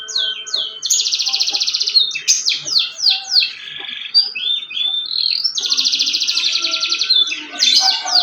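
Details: Loud canary song alternating rapid buzzy trills with quick descending sweeps, a lower rattled phrase and short rising whistles, then another long fast trill; a low steady hum in the background.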